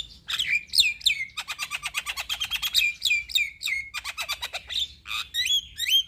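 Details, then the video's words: Javan myna in active full song: rapid bursts of sharp chirps and rattling clicks mixed with high whistled downslurs, phrases tumbling one after another with barely a pause, loud and clear against a quiet background. "Jalak Kebo Gacor Masteran"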